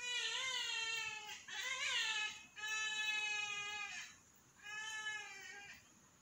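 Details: A flock of trumpeter hornbills gives loud, nasal, wailing cries like a screaming child: four drawn-out calls of about a second each, some wavering, with brief pauses between.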